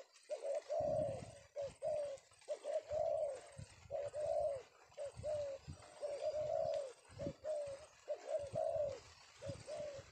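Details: A male spotted dove, caught this afternoon, coos in soft, mellow phrases of two or three low notes, repeated every second or so, with low thumping and handling noise.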